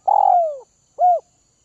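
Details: Spotted dove, a Northwest-region bird kept and tamed by hand feeding, delivers a long husky coo falling steadily in pitch, followed by one short rounded closing note.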